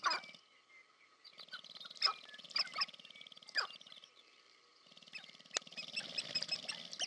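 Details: Sharp-tailed grouse (Tympanuchus phasianellus) in courtship display at American Prairie Reserve, Montana, USA: overlapping clucks, cooing and sharp chattering calls, with rapid foot-stamping rattles and wing noise, several birds heard together.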